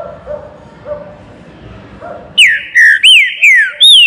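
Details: Quiet background gives way to a Green-winged saltator's baruc song in a flight cage: five loud, evenly spaced whistles, each a downward-sliding slur, about two notes per second.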